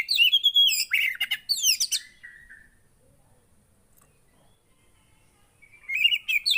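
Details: Javan white-eye song meant to get a quiet bird singing: a rapid high warble of twisting notes ending in a descending trill, a silent gap of several seconds, then the twittering resumes.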